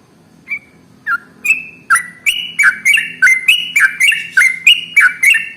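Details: Sooty-headed bulbul (trucukan) starting a long ropel song used to prompt other birds to sing: a few spaced whistled notes, then quickening into a steady chain of sharp, slurred chirps, over a faint low hum.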